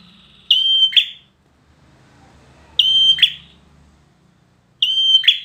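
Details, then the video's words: Three spaced phrases of a show-standard bar-winged prinia, each a loud, pure, level whistle ending in a short buzzy drop, with gaps of about two seconds between them. "PRENJAK KLAWU PRESTASI"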